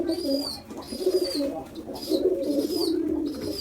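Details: Hungry baby pigeon calling loudly just after a big feed: drawn-out squeaky whistles, each about half a second and slightly falling, repeated four times over a low, warbling murmur.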